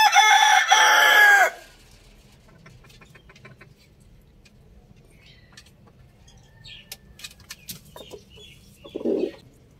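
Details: Two roosters, one crowing loudly: a long harsh crow of about one and a half seconds opens, followed by quiet rustling, faint chirps and a short low cluck near the end.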